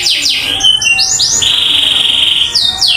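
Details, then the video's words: Canary in full song: loud high whistled phrases, rapid descending sweeps, then a long steady trilled note held about a second, ending in quick falling slurs. "Kenari gacor"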